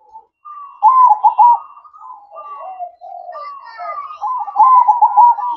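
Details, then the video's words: Zebra dove in night-time manggung song: two loud bursts of rapid rolling coos at a mid pitch, linked by softer, drawn-out wavering notes. "Suara Merdu Perkutut Manggung Di Malam Hari"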